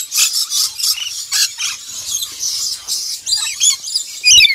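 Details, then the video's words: Black-winged lory calling with repeated shrill, buzzy screeches, ending in a sudden loud squawk. "Black Winged Lory"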